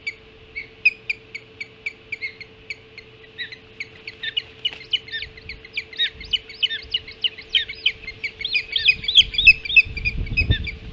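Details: Hog Island ospreys calling at the nest during an early-morning feeding, 5:20 on 7 July 2016: persistent high piping chirps, spaced at first, then growing faster and more jumbled into a near-continuous excited chatter, with rustling near the end and a constant hum.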